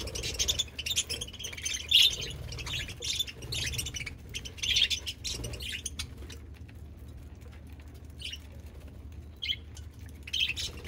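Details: Chirping pet budgies: busy, scratchy twittering for the first half, then quieter with only occasional short high chirps and squeaks, a low hum throughout.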